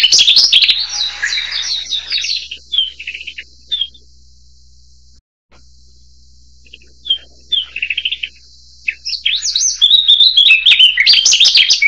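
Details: Narcissus flycatcher (Ficedula narcissina) song: bright, high warbled phrases of quick whistles and chirps in two bursts separated by a quiet gap, with a faint steady hiss behind.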